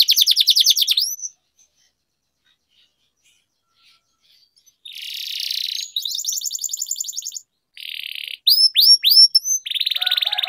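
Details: Singing-training recording of a lively canary with long rolls: a fast high trill, a few seconds of silence, then buzzy rattles, rapid rolled trills and sharp upward-sweeping whistles in quick succession.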